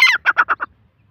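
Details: Black francolin giving one short grating call, a harsh opening note followed by four quick rasping notes, then silence.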